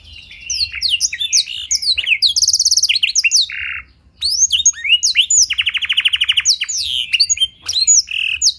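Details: Canary singing a clear blackthroat fill-in, used as a tutoring and provoking recording for other canaries. Rapid, sweeping high notes and a buzzy rolling trill, with a brief pause midway before the song resumes.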